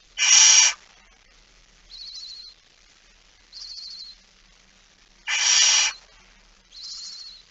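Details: Barn owl with a mouse, 17 September 2019, 06:11: two short, loud hissing screeches about five seconds apart, with thin, high, buzzy chirps in the quiet gaps.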